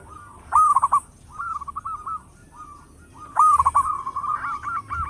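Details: Local zebra dove in full, loud song, suited as a lure: stuttering cooing phrases near the same pitch, a loud burst of rapid notes opening each phrase, trailing into softer rolling coos, repeated after about three seconds.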